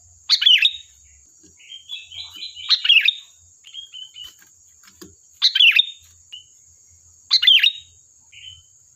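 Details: Energetic sooty-headed bulbul song played as a lure to provoke replies: four loud, rich, chirpy phrases, separated by softer twittering and short whistled notes, over a steady high-pitched whine.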